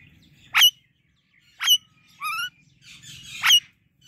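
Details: Morning sounds from a pet Indian ringneck and Alexandrine parrot pair: sharp, clipped, high squeaks about once a second, a quick run of short rising notes, then a raspy chatter.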